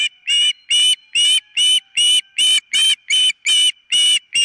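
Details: Osprey on its nest captured by a nest camera, calling insistently with a steady series of about eleven shrill whistled notes, roughly two to three each second, evenly spaced and equally loud.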